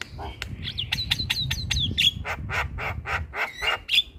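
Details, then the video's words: Starling singing, used to coax other starlings and quiet birds into song: fast repeated clicks and whistled notes, then a run of harsh raspy bursts with whistled accents, over a low background rumble. "Pancingan Segala Jenis Burung Jalak - Jalak Malas Bunyi / Jalak Pikatan Auto Nyaut"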